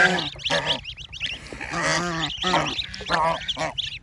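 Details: Baby ducks playing in water make a jumble of harsh, nasal calls and faint high chirps in quick succession, backed by a steady low hum.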